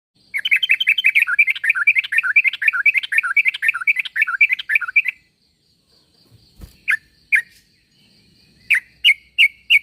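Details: Sooty-headed bulbul call used to draw other bulbuls into answering: a fast run of bright chirpy notes for about five seconds, then a pause with a low thump, followed by scattered single sharp chirps.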